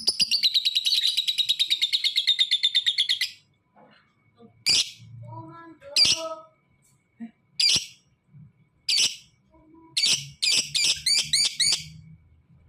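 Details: A fighter lovebird, used to stimulate lazy lovebirds to sing. It opens with a three-second rapid chattering trill of even high pulses, then gives sharp separate squawks and a quick burst of chirps, with faint low voices in the background.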